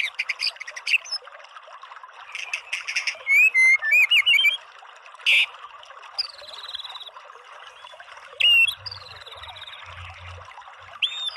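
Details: White-rumped shama song made of scattered clear whistles, including upward and downward slurs, some looping phrases and sharp metallic notes. Faint chatter sits between the phrases.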